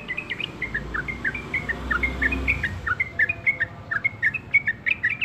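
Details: Yellow-vented bulbul in persistent song, repeating short whistled chirps that dip and rise, spaced evenly in quick succession, with a soft low drone behind.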